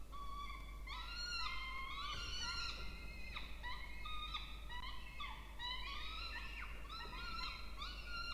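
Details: Two nestling Peregrine falcons begging as food arrives, nest box in a water tower, Charles Sturt University, Orange, New South Wales, Australia, 20 October 2024; loud, harsh, bending whines in quick succession, often overlapping, over a low constant drone.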